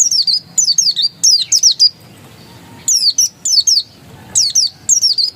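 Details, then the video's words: Oriental white-eye giving a persistent, insistent song: high thin whistled phrases, each of several quick downslurred notes, delivered in short bursts separated by brief pauses. "Suara Ngotot Pleci dakun"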